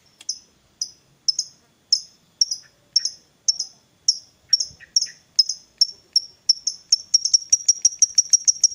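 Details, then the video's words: Lovebird of fighter type, the ticking style known locally as ngetik, played to stimulate another lovebird: sharp high clicks that start about two per second and speed into a rapid run near the end. "Pancingan Suara Lovebird Gacor Fighter"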